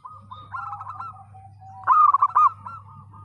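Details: A zebra dove singing a lot with a broken voice, used to encourage mute, lazy birds to sing. Soft rolling coos from another dove lead into one loud, stuttered trilling phrase, with a low hum throughout.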